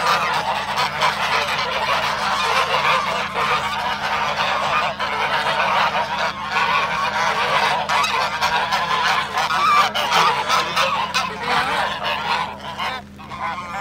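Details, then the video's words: Swan goose in an attack: sustained raucous honking, thick with overlapping nasal calls throughout and briefly quieter near the close, accompanied by a low steady hum. "Swan Goose Attack"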